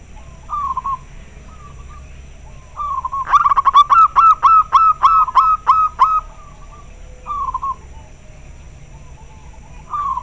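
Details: Local zebra dove answering another bird: soft distant coos, then a loud run of about a dozen quick, clear cooing notes, then more faint coos. A low background hum is heard throughout.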